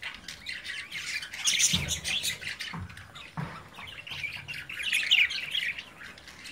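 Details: Caged budgerigar babies at play, parents looking on: busy high-pitched warbling chirps and rasping squawks, with a few soft low thumps from movement in the cage.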